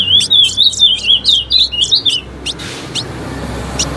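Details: Female ultramarine grosbeak singing: a rapid run of short, warbled, high notes that swing up and down for about two seconds, followed by a few sharp, isolated clicks.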